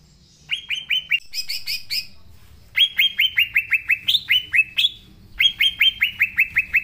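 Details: Green leafbird in vigorous song: runs of loud, clear chirps, each sliding downward, delivered in rapid series of three to eight notes, with an occasional higher note breaking the pattern and short gaps between runs.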